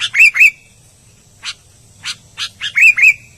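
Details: Albino sooty-headed bulbul: two quick, bubbly whistles, a pause, then a few sharp chips building into another pair of rolling whistled notes.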